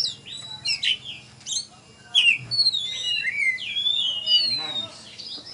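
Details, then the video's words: Oriental magpie-robin at a songbird contest in Tebas, a champion bird singing after being hung up: clear whistled notes and sweeping slurs, some sharp descending strokes, and a few brief voices in the background. "Video Kacer Juara Di Tebas Habis NgeGantang"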